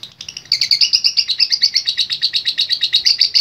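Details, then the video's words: Lovebird giving long ngekek chattering: after a soft start, loud grating chirps burst in and run fast and steady, roughly three per second, a continuous shrill rattle to the end. "Love Bird Gacor Ngekek Panjang"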